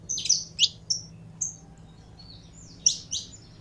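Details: Saffron finch during warm-up, giving scattered high chirps: a few quick notes early, a gap of over a second, then a couple of sharp tweets near the end.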